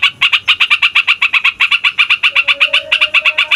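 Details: Yellow-vented bulbul rolling song used to prompt lazy or young bulbuls to sing: steady series of bright, clipped notes, roughly three per second, with a soft low tone entering midway.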